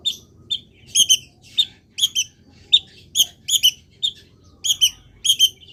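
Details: Long-tailed shrike kept in a cage, misted and placed in morning sun, sings short twangy double notes with bright harmonics, in irregular bursts about every half second, some notes paired closely together.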